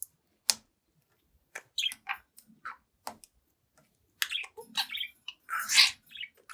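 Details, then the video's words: Seven-month-old caged budgie playing at a mirror indoors, giving sparse short chirps and brief warbled phrases separated by silences, with a louder burst of chatter near the end. "Young Budgie Talks, Dances, and Sings in Front of the Mirror"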